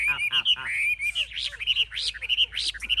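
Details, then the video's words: Fierce fighting Chinese hwamei in a cage, showing high wings and spread tail; a brisk, chattering song of quick rising whistles and choppy repeated notes delivered in a steady, lively rhythm. "Họa mi chơi cánh cao đuôi xòe - Em này đấu ác"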